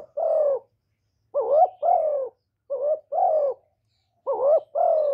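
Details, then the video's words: Spotted dove cooing in a quiet recording made to stimulate kept doves; three slower phrases, each a rising-falling short coo followed by a long, soft, descending coo, separated by pauses of over a second. "Cu gáy Hạp Bổi Gáy Gọi + Gù + Thúc + kèm kích bổi, chim cu đất gáy, cu cườm gáy, tiếng chim cu"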